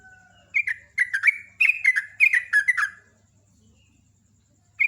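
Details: Sooty-headed bulbul's quick 'ropel' singing: a two-second run of about eight tumbling, bright whistled notes, then silence before a new phrase begins, faint soft whistle at the start.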